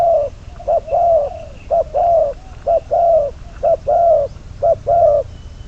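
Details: Spotted dove, bird number 22, kept as a decoy for trapping, sings a regular series of paired coos, each a quick low hoot then a longer mellow note, about one pair per second.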